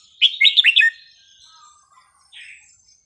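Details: Red-whiskered bulbul singing a lesson for young birds: one quick run of four or five bright warbled notes, followed after a pause by a single soft whistled note.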